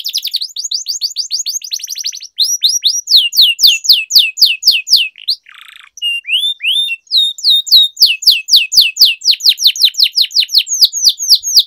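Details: Canary singing long rolls, played to train canaries and lure silent birds into song: nearly twelve seconds of rapid repeated slurred chirps, about four per second, broken once by a short buzzy note and brief whistles.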